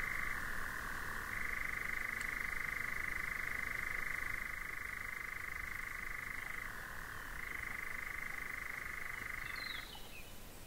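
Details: A European nightjar churrs near two bears in front of a hide at Årjäng, Sweden, with a cuckoo in the background: a steady mechanical trill for about ten seconds, dropping briefly in pitch twice, then stopping abruptly.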